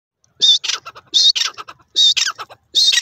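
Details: Francolin (desi teetar) calling in the jungle: loud, harsh, rhythmic phrases, each a high grating note followed by quick stuttering notes, repeated about every 0.8 seconds in a quiet setting.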